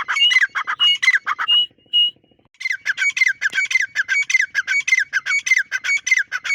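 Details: Dakhni teetar or grey francolin calling in a fast, strident series of squawking notes, roughly 100 a minute, after a short opening phrase and a brief gap.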